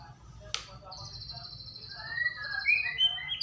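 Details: White-rumped shama lure song to make birds sing: a sharp click, then a long thin steady high whistle, followed by rising whistled notes that grow louder toward the end.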